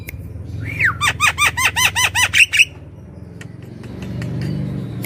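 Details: Javan myna in gacor song, used to lure birds and to stir silent ones: a rising-falling whistle, then eight rhythmic ringing arched nasal notes, followed by low vehicle rumble.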